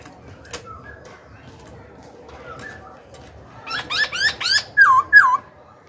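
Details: Young caged black-throated laughingthrush singing to provoke rival birds and train young birds: after quiet low notes, a late burst of rapid harmonic down-slurred whistles ends in two loud looping whistles.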